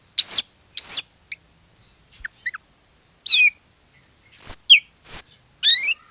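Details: Oriental magpie-robin singing lively as a lure to get other magpie-robins to sing: loud, high sweeping whistles and rising harmonic trills in short separate bursts, mixed with softer thin whistled notes and brief clicks between phrases.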